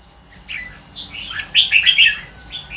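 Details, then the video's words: Red-whiskered bulbul building from soft scattered notes into a loud, rich warble of mellow slurred whistles, then tapering off into quieter fragments. "chào mào hót hay"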